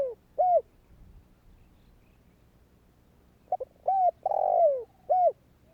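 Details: A spotted dove calls to prompt other doves: a single hollow coo, a long silence, then a phrase of two quick notes, a coo, a long burred falling coo and a last short coo.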